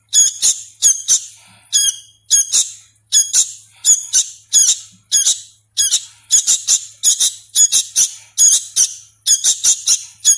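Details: Hand-fed sooty-headed bulbul nestling that is still learning to call, making rasping, nasal high-pitched squeaks, often doubled, in a steady run of bursts roughly twice per second.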